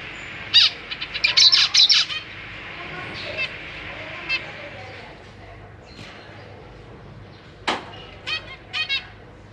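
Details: Zebra finches: a parent pair with three juveniles and three newly fledged young, parents busy feeding babies that practise flying, give a quick burst of short, nasal, buzzy chirps, then scattered single calls and a few clustered notes over faint hum.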